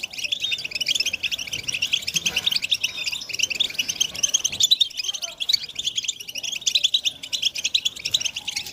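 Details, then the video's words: Chorus of many European goldfinches used to rouse silent males into singing, including mating calls: unbroken, busy tinkling and twittering, high and metallic, overlapping throughout without any real pause. "بتبتة الحسون تحفيز الحسون على التغريد والهيجان علاج صمت الحسون goldfinch stimulation"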